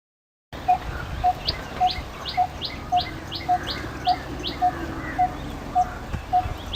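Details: Coppersmith barbet calling: a steady series of low, hollow, tonal 'tuk' notes, about two per second, evenly spaced, with another bird's thin rising notes repeated above and a constant background hiss.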